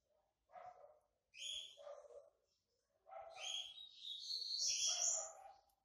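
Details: A white-breasted yellow-bellied seedeater (coleiro baiano) coming out of moult sings bursts of buzzy, chattering phrases that rise into a long, bright high trill near the end.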